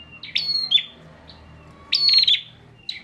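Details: Bar-winged prinia in Central Java used to train other songbirds: two loud buzzy bursts with sharp rising strokes, framed by short quiet whistles, low background noise in between.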